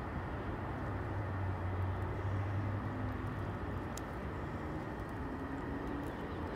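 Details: Steady low engine rumble of a passing vehicle with broadband outdoor noise, no animal calls audible.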